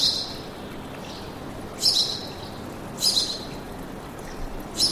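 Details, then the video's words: Bird singing in a forest: short, bright high chirps in bursts about once a second, over a steady rushing background hiss. "Пение птиц в лесу"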